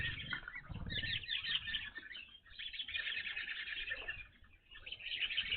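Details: A busy chorus of evening grosbeaks visiting a bird feeder: thick bursts of shrill, clustered chirps rise and fall in waves, dipping briefly near the end before resuming loudly.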